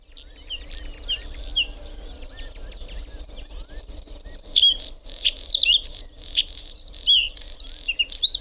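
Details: Bluethroat singing: a run of high, evenly repeated clipped notes, then a varied, fast mix of whistles, buzzy sweeps and sharp chips. Faint low rumble behind.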